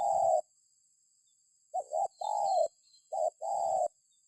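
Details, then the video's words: Spotted dove cooing, used as a lure to prompt other birds to call: low, hollow coo notes, a short opening coo, then after a pause a quick double coo followed by longer drawn-out coos, with a steady faint high hiss behind. "Suara Burung Tekukur"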